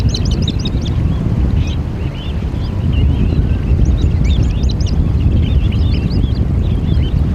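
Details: Eurasian oystercatchers giving loud, shrill piping calls in rapid bursts of looping notes, with a pause near the middle before another excited run, set against constant deep roaring of wind or waves.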